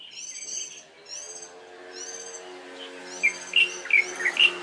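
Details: Mid-April early-morning song of a warbling white-eye: high, ringing phrases at first, then a run of sharp, loud chirps, over a steady low mechanical hum.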